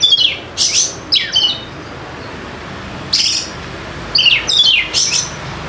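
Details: Lure song of a White-rumped shama for quiet birds: short clusters of sharp downward-slurred whistles and high ringing notes, spaced by quiet gaps of about one to two seconds.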